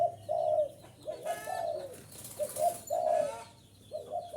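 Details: Spotted dove used as a lure for wild birds: soft gurgling coos in short bursts, separated by brief pauses, with a rushing hiss and a few thin chirps mixed in.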